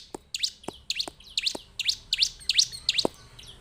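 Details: Bar-winged prinia (ciblek) uttering a series of high sharp chirps, roughly three per second, against background clicks and thumps.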